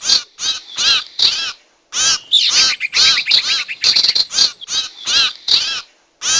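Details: Lure recording of sirtu for catching wild birds, loud ringing chirps with arched tones in quick series, a busier twittering stretch in the middle and short silences at start and end.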